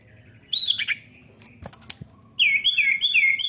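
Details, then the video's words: Common iora calling, used to lure a young bird into singing: a few sharp high chirps, some clicks, then a quick run of bright looping whistled notes repeated several times. "pancing bunyi cipow bahan"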